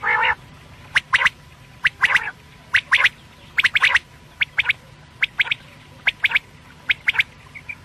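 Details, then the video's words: Quail call for use at night, Pakistan, from quail hunting: a long nasal buzzy note, then sharp clipped notes in pairs and triplets, about once a second, with some softer quacking notes between. "quail sounds/ batair ki boli | Batair ki Awaz rat k lia"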